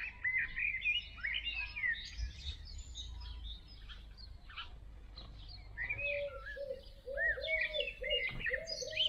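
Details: Great tits bringing food to a nestbox on an evening, with nestlings heard near the end, give bursts of high, thin chirps and twittering, with a lower, repeated rounded note joining later over a low background rumble.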